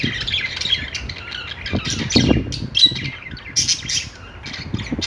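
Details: A budgerigar singing on a perch warbles a fast, chattering stream of scratchy chirps and squawks.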